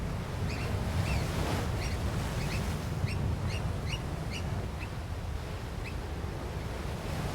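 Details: Wild breeding pair of African black oystercatchers calling noisily as a person approaches, protecting two young chicks from intruders; short, sharp piping chirps repeated irregularly, half a second apart, over loud, steady low rumbling wind or surf.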